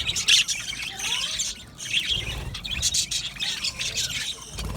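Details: Chattering budgerigar colony kept in an aviary: bursts of shrill twittering and sharp chirps from many birds, with a few lower rising notes beneath.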